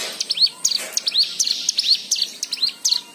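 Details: High, bright white-eye chirps, used to stir other white-eyes into song, come in a quick sequence of curved, upslurred notes spaced about a third of a second apart.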